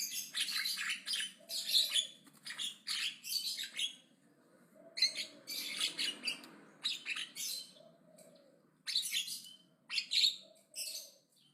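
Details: Loud, aggressive chattering from a Javan myna: a long run of harsh, rasping bursts, mostly under a second each, repeated with short pauses and a quieter gap midway.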